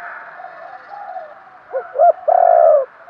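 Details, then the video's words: Decoy spotted dove luring wild birds, a quiet murmur giving way to two short rising notes and a single loud, sustained coo at the end. "chim cu mồi thúc gù, chim cu gáy kích bổi mới nhất, cu cườm thúc gù giọng hay"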